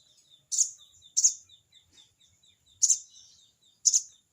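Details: Crested jay, locally sogon, calling a rival: four loud, scratchy, chattering bursts in two pairs, with a faint series of thin whistled notes from another bird running steadily in the background.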